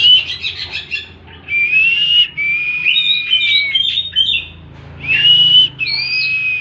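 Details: Oriental magpie-robin singing 'tembakan': a scratchy opening burst, then clear sustained whistles at slightly different pitches, a pause, and a final loud rising whistle with a higher note after it.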